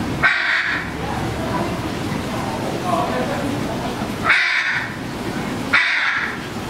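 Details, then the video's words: A blue macaw at the Vancouver Aquarium, Stanley Park, Vancouver, Canada, in September 2014 gives three loud, harsh, raspy squawks spaced a few seconds apart over a steady murmur of crowd noise and voices. "Blue Macaw"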